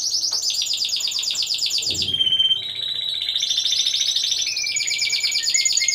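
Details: Team of four Timbrado Español canaries singing at a November 2015 song contest, category C1: unbroken high rattling trills, then a brief steady bell-like tone, then more rolling trills that step up in pitch.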